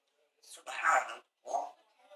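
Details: Parrot said to be saying "Allah akbar": two bursts of harsh, speech-like mimicry, a longer raspy phrase followed by a shorter syllable, in a quiet setting.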